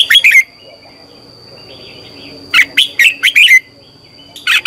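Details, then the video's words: Red-whiskered bulbul singing in the morning, a training lure: clipped phrases of chirpy, warbling whistles at the start, middle and end. A long phrase of about five notes sits in the middle, and a steady high hum runs underneath. "Luyện chào mào hót sáng - QUÁ HAY KÍCH CHÉ"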